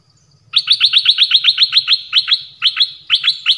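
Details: Thai songbird called nok dok taeng pours out a rapid, steady series of identical sharp, bright notes, about four per second, briefly broken into pairs near the end; a faint low hum lies underneath.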